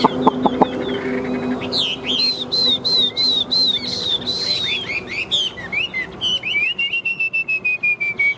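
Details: Competitive song from a caged Chinese hwamei displaying tail and wings: a string of bright arched whistles repeated steadily, varied chirps, then a long slowly falling sequence of rapid short notes.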